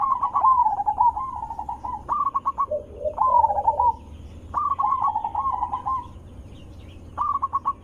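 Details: Loud melodious zebra dove song used to bait other zebra doves into responding: long rolling trilled coos, staccato bursts, and a lower burry phrase, with brief gaps between phrases.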